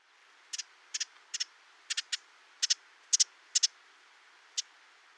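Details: A Ruby-crowned Kinglet gives its winter chattering call, dry, high, doubled 'ji-dit' notes, about ten in five seconds at uneven intervals, in a quiet setting; the call warns of danger and serves as a flock contact call.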